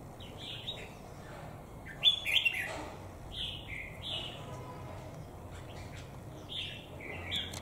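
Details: Caged red-whiskered bulbul ('Mào Đá'), more than a year in captivity, delivers repeated short whistled phrases every second or so, one louder, warbling burst near the middle, over a quiet, steady background.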